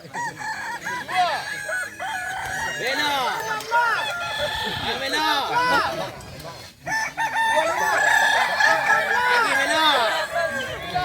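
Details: Many kukuak balenggek roosters crow together during a contest at a dairy farm in Solok Regency. Overlapping rising-and-falling crows come in quick succession, with a brief lull near the middle and people talking behind.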